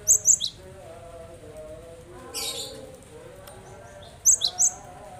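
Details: Cinereous tit song for prompting quiet birds to join in: a pair of sharp high whistles opening, a hissy burst midway, then three ringing whistled notes in quick succession, over a steady low droning background.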